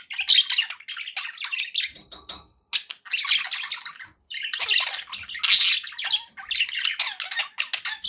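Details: Pet budgerigars chatter in happy company: bursts of buzzy warbling and chirps, separated by a few quiet gaps, with faint splashing in the background.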